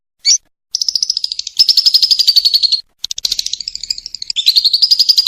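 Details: Lovebird in peak form, training audio for contest birds: one short chirp, then bursts of quick, buzzy, high-pitched trilling separated by brief gaps, some phrases sliding slightly downward.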